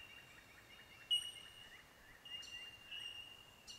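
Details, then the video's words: A colony of bell miners along a bush track around Narooma rings in chorus: a steady ringing of high, pure 'tink' notes from many birds at once, with softer lower chirps and a few sharper calls. "Bell Miners"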